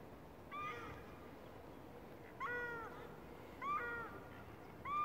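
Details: Black swan in Christchurch Botanic Gardens giving four musical, bugling notes, each about half a second, arched and slightly falling, spaced one to two seconds apart over a steady background hiss.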